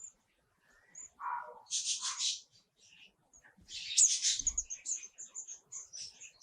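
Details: Wild bird chicks in the nest being fed by their mother while the father stands guard. High, thin, hissing chirps come in bunched bursts, with scattered sharp tweets and one lower, shorter call.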